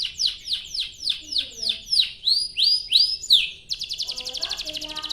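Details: Canary singing as a lure for other canaries: a run of descending swept whistles, a few longer rising notes, then a fast even rolling trill.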